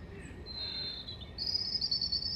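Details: European robin (Erithacus rubecula) singing at Hengelo on 5 May 2018: a thin, high whistled note held about a second, a short pause, then a higher, strained sustained note, over a low background rumble.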